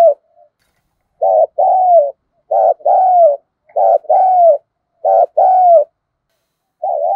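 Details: Spotted dove lure coo meant to make wild birds answer: four even paired phrases, a clipped first coo and a longer sliding second coo, about every 1.3 seconds, with another starting at the end.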